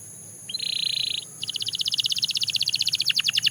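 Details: Belgian canary song with a steady, bright buzzy note held for under a second, a short pause, then a fast, even, rolling trill of rapidly repeated high notes that speeds and drops slightly at the end.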